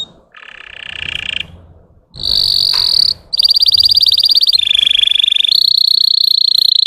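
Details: A Russian canary sings to stir up other canaries' temper, mixing buzzy rattling phrases with brief pauses and long, fast, shrill trills at changing pitches.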